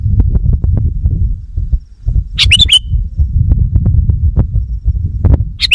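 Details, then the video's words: Sooty-headed bulbul lure call aimed at wild bulbuls: one bright chattering phrase with a whistled slur, plus another brief one near the end, under constant heavy low thumping rumble. "Suara Burung Kutilang Pikat GACOR Sekali Putaran Kutilang Liar Auto Emosi!"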